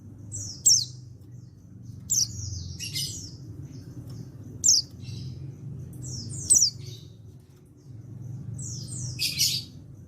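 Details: Calls meant to prompt other white-eyes to answer, from an untrained male white-eye from Pacitan, 14/10/22: piercing high chirps with falling trills, ending in a buzzier burst, over a steady low rumble.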